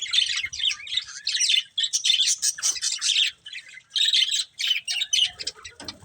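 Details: Colourful budgerigars, a breeding pair, chirping in bursts of busy warbled chatter and squeaky notes, with short quiet gaps between phrases.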